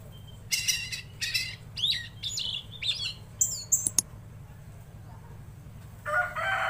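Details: Tledekan laut in lively song: a few buzzy rasping bursts, then swooping whistled slurs and sharp high notes in the first four seconds. A quieter harsh chatter follows near the end, over a constant low hum.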